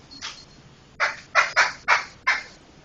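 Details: Laughingthrush chatter used as tutor audio for training other songbirds: a faint rasp, then five loud, harsh, broadband bursts in quick succession, each under half a second, against a quiet background.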